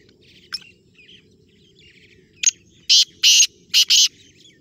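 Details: Black francolin, known locally as kala tetar, giving a loud harsh grating call of four broad bursts in quick succession near the end, preceded by a few faint sharp clicks and soft chirps.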